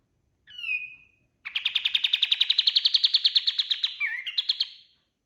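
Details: Master song of a kapas tembak white-eye for tutoring other birds: a single drawn-out whistle followed by a sustained, very fast, high trill with a short warbled break near the end before a few final notes.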